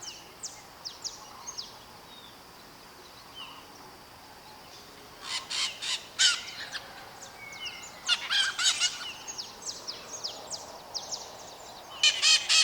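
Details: Maritacas calling in a flock in Brazil: scattered thin chirps at first, then bursts of harsh, rasping screeches in clusters of several notes, loudest near the end, over a soft natural background.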